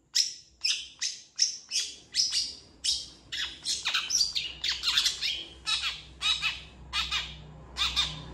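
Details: Long-tailed shrike singing energetically as a master song for training other birds: a rapid series of harsh, scratchy, high chirps and squawks, roughly two per second, steady throughout, with no other sounds.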